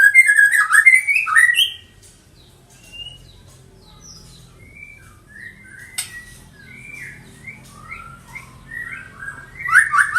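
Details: Captive juvenile white-rumped shama of the Medan strain, six months old, bred in a colony. A bright burst of warbled whistles opens, then scattered soft fluting notes and short slurs, ending in another brief strong flourish.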